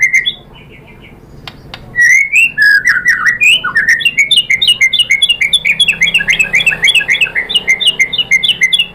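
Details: Murai batu (white-rumped shama) in Indonesia, with song used as a lure to trigger other birds to sing. A few soft notes, then loud varied whistles turning into a fast repeated chattering phrase, over low hum.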